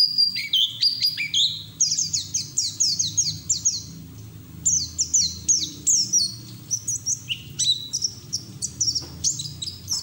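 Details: White-eye in captivity singing hard with beak open, played to coax other white-eyes into song: long run of high, sharply down-slurred whistles in quick clusters, pausing briefly midway, then resuming with twittering notes.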